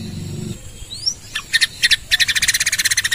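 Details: Canary recorded as a training song for other birds: low hum at first, a faint rising whistle, a few separate buzzy notes, then a rapid, rich trill repeated about seven times a second to the end.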